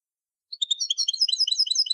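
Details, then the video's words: Old Tunisian goldfinch song in the Sahnoun Sfaxi tarqa style, a quick run of high, tinkling, twittering notes packed closely together and growing denser, with no other sounds. "Ancien Chant d'un Chardonneret Tunisien"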